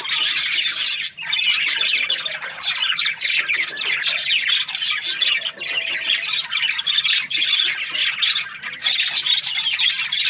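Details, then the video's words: Constant chatter from budgerigar breeding pairs: harsh squawks, quick chirps and twittering warbles overlap for the whole stretch, with a few brief lulls before the noisy chorus picks back up. "Budgies parrot chirping sounds | breeding pairs"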